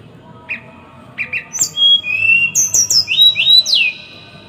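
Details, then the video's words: Small songbird in a dense, rough song burst used as training song for caged birds: a few short high chirps, then a rapid run of thin slurred whistles, some rising, others sharply falling, packed closely together over a quiet background. "Masteran burung kecil | Masteran tembakan rapat dan kasar"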